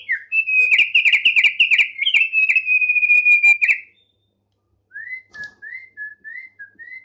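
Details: Thick-billed heleia, tame and in full song, pours out a loud, rattling, buzzy trill for nearly four seconds, then after a pause gives a series of soft upslurred whistles.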